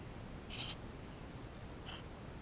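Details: Eurasian tree sparrow nestlings in the nest, filmed by GoPro on 28 May 2016: one louder high hissing squeal followed by a fainter, shorter peep just over a second later.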